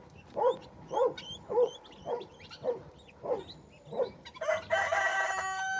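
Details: Guineafowl giving a harsh, rasping call about twice a second, with thin high peeps over it, as adults look after a baby guineafowl that seems to be calling for its mother.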